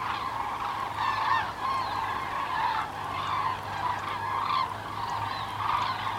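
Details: Flock of common cranes migrating south, 9 November 2014; rolling, overlapping trumpeting calls from many birds fill the whole recording, swelling in waves, over a faint low hum.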